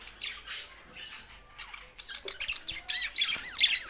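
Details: A budgerigar singing, harsh squawks and looping, rising and falling warbled notes, growing busier and louder toward the end.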